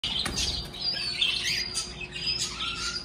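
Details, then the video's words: Caged pet birds kept at home, lively after waking in the morning: dense high chirps and twitters overlapping continuously, with a faint steady hum beneath. "DESPERTARON muy ALEGRES mis aves en CASA"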